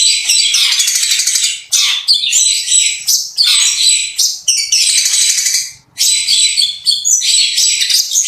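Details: Long-tailed shrike's showy song of borrowed phrases, rough notes and rapid rolling volleys; long dense buzzy, high-pitched trills broken by brief gaps and a few sharp chips.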